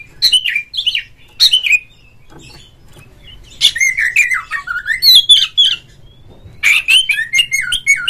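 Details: Oriental magpie-robin song played as a lure to provoke a rival, so a kept bird sings and fans its tail: loud varied whistled phrases with harsh buzzy notes, sweeping between mid and high pitch in bursts separated by short pauses.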